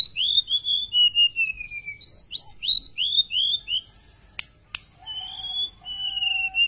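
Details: A tame golden-bellied gerygone sings energetically: high whistled notes slurring downward in falling cascades, repeated in several rising-then-falling phrases, then two sharp clicks and sustained steady whistles with a soft lower tone.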